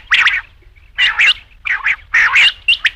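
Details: Rain quail (batair) calling: sharp, harsh paired notes repeated about once a second, each pair a quick double burst, with quiet gaps between and no other sounds.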